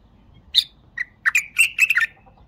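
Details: Singing bulbul: an opening sharp note and a short chirp lead into a rich, rapid run of warbled notes lasting about a second.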